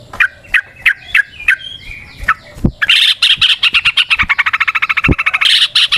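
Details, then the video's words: Sooty-headed bulbul in the wild, a long rolling song used as a lure: several spaced chirps open into a fast, loud, continuous chattering trill. "Trucukan GACOR ngalas ROPEL PANJANG suara alam AMPUH buat pancingan"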